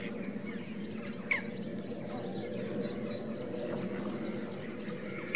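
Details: Foraging greater and Andean flamingos give two brief, harsh honking squawks about four seconds apart, over a steady low rumble of wind or water.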